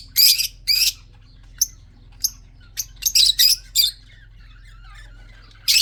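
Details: Budgerigars, red-eyed birds kept for breeding, males and females together: loud harsh buzzy squawks in quick clusters, some short and clipped, over soft warbling chatter, ending with another screech.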